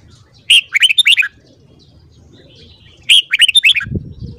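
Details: Morning song of a red-whiskered bulbul: two energetic phrases of six or seven bubbling, whistled notes each, the second starting about two and a half seconds after the first, ending with a brief soft rustle.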